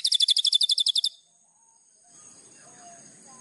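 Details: White-rumped shama training song: a quick run of high, clipped repeated notes for about a second, followed by quiet with faint low background sounds.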